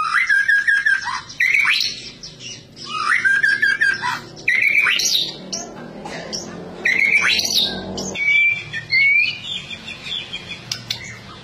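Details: Vigorous white-rumped shama (murai batu) song: loud, repeated phrases of clear looping whistles that rise sharply at the end, separated by short pauses, with brief high pure whistles near the close.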